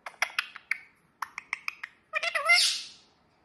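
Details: Young pet pallid/ino green Indian ringneck parakeet, hand-reared, talking: a run of short, clipped, speech-like syllables in two bursts, then chattering notes ending in a harsh, hissing screech, recorded quietly indoors.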